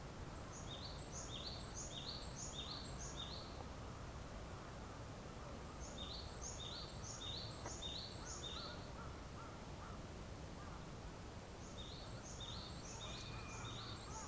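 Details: Japanese tit singing at 4:50 am on 7 April 2011 in Yokodo green space, Hanamigawa Ward, Chiba City, Chiba; high two-note phrases repeated in runs of four or five, pausing between bursts, over steady low rumble.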